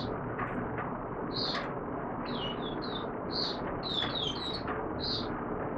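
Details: Oriental white-eye in courtship mode, recorded 25 January 2022: short, high, thin chirps and twittering notes in scattered bursts, set against a steady broadband background hiss.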